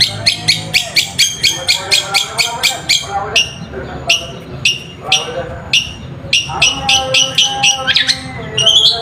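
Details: Long-tailed shrike (Lanius schach) pours out rapid, harsh chattering song, about four notes a second, mixed with higher scratchy and whistled phrases.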